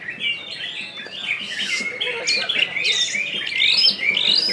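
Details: Caged greater green leafbird, Kalbar type, singing nembak style: high, piercing whistled notes and quick upward slurs crowd together, building louder toward the end in an energetic, varied phrase.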